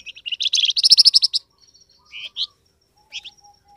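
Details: Flamboyan bird lure call, used to make wild birds answer back: a loud, fast burst of sharp, high chirps run together into a rattling trill, then a few shorter chirp notes with quiet gaps.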